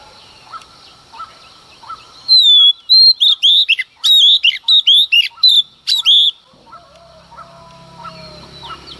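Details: Female Oriental magpie-robin singing at daybreak to provoke males, delivering a long, fast run of loud whistled notes and rich slurs between about 2 and 6.5 seconds, with soft chirps of other birds before and after.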